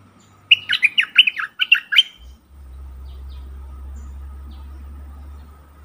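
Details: Caged Stripe-throated Bulbul decoy used to draw wild birds in forest, 2021: a short, fast string of bubbly warbled notes, followed by a steady low background drone.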